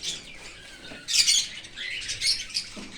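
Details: Baby cockatiel begging while a parent feeds it from outside the nest in an open aviary. Quiet rasping at the start, then a loud grating burst at about one second, followed by softer churring notes.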